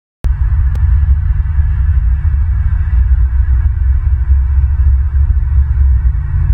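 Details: A loud, steady low electrical hum with a throbbing drone runs throughout, and no animal sound is heard.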